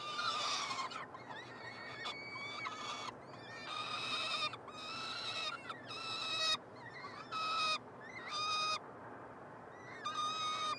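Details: Peregrine falcon triplets begging while fed at a university nestbox in Montreal, Canada, June 2022. Drawn-out, nasal, level wails come in a series of roughly one-second bursts, some overlapping, with short pauses between them.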